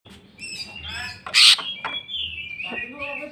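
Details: Greater green leafbird singing in a full jamtrok style and unloading its repertoire of borrowed phrases: slurred whistles near the top of the range, a stacked harmonic warble, and one loud harsh burst at mid-clip.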